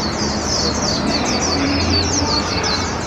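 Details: A hand-raised warbling white-eye aged 1 year 8 months, on its first park outing in 2021, gives high, thin, rapid twittering phrases over the loud din of a nearby outdoor glove-puppet opera; warbling white-eye.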